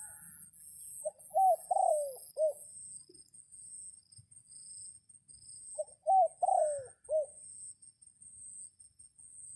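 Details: Red junglefowl crowing to lure wild birds while rain is falling these days; two full crows about five seconds apart, a stuttering start, a drawn-out falling phrase and a short final note, with constant high-pitched insects.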